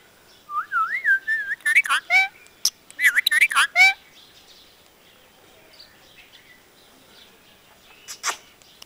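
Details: Pet parrot described as talking in Punjabi sentences; a wavering whistled phrase opens, followed by two bursts of quick harmonic, voice-like chirps, then near silence with one late squeak.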